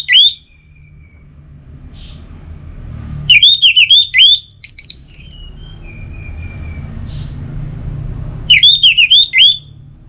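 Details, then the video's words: Orange-headed thrush singing relaxed, repeated phrases of swooping, bright whistles with short fading trailing notes, paused by quieter gaps over a constant low hum; three main bursts in ten seconds. "Anis Merah Bunyi Santai Untuk Pemancing Burung Yang Lagi Drop Bahan Ataupun Macet"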